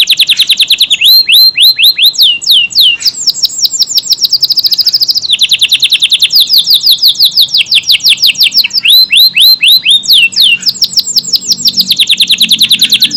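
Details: Long stretch of gacor song from a Kenari AF canary: continuous cascades of rapid rising and falling high whistles, trills repeated in tight series with barely a pause. Recorded as tutoring material for Murai and Kacer.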